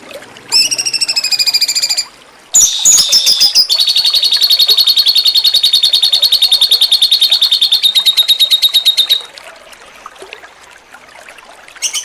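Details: Cucak cungkok in jengking munting style, recorded to train contest songbirds: loud bursts of rapid buzzy trilling, a brief gap, then a long steady pulsed trill of about six seconds.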